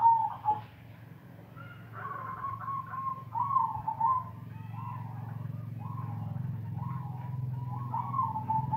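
Zebra dove cooing in soft, rolling phrases of short mellow notes, repeated every second or so, over a steady low mechanical hum.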